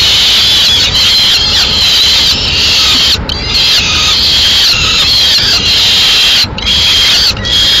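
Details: Peregrine falcon nest in Madrid: the male arrives with a swift and feeds the young himself. A dense, steady chorus of harsh, high wailing calls runs on, with a few short pauses.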